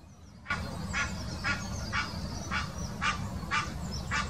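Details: Mating call of an Egyptian goose recorded in 2018 in the Wittlich Depression, Germany: after a quiet start, rasping honks come roughly twice per second, over low rumbling noise and thin high chirps of small birds.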